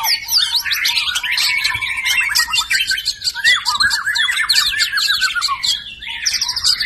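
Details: Captive-bred F1 white-rumped shama in full song: fast sequences of sharp clicking notes and swooping whistled slurs, varied and unbroken, with dense overlapping phrases.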